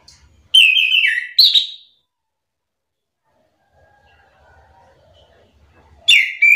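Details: Orange-headed thrush singing in a back-and-forth exchange with another bird: loud clear whistled phrases sliding downward, a pause with faint low background noise, then another strong whistled phrase.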